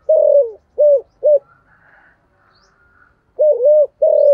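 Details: Spotted dove lure bird in the thổ voice: a long sliding coo and two short hoots, a pause with a faint distant whistle, then a two-note coo and a final drawn-out falling coo.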